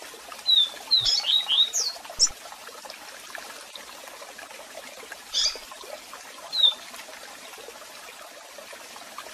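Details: Double-collared seedeater with strong song and calls, set over waterfall sound for song training: a brief burst of sharp whistled and upswept notes early, then scattered single chirps over steady splashing water.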